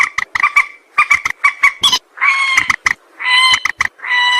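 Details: White-breasted waterhen call used as a lure for trapping: loud, harsh, harmonic croaking notes given in quick clusters of short strokes, with longer drawn-out nasal notes between bursts, over a clean, quiet background.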